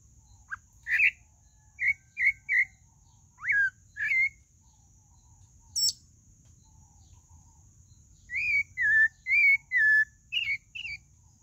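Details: Sabiá-do-barranco (pale-breasted thrush) song: scattered short whistled notes and quick upslurs early on, then a run of rich, wavering whistles toward the end, with brief gaps between phrases.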